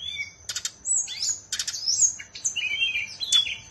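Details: Kept bird from Bali singing short, sharp phrases: clicking bursts, thin high whistles and a few longer sliding notes, separated by brief gaps, a soft hum beneath.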